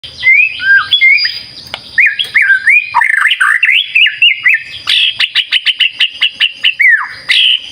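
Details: White-rumped shama in full, lively song, played to coax silent shamas into singing: varied clear whistled phrases rising and falling, then a fast run of sharp repeated notes before a final swooping whistle.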